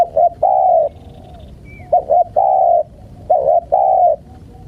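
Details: Spotted dove calling to lure wild birds. Three clear phrases, each a brief double coo followed by a long, steady, hollow note, come roughly every second and a half. A faint high whistle is heard once.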